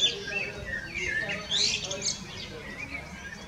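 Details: Common blackbird (Turdus merula) singing varied, fluty and chirping phrases with a quick rising swoop midway, over a faint background murmur that may include distant voices.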